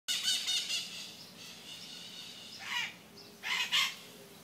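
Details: Maritaca parrots squawking in the morning: harsh, grating calls, a rapid run of screeches at the start, then two louder raspy bursts near the end.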